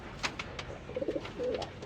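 A pigeon gives a few soft, low coos in quick succession, mixed with sharp clicks and rustling handling noise in a small room.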